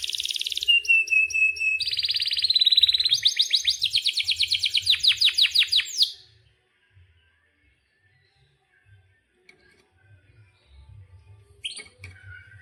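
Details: Canary in breeding condition delivering a long roll: a high whistle, then buzzy trills and a rapid sequence of down-slurred notes for six seconds, followed by near silence and one brief chirp near the end.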